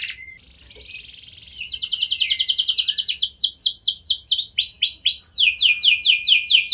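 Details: Canary singing as a lure for other canaries to answer: a quiet opening note, then loud rapid trills and arched whistled notes rolling in fast repeated phrases.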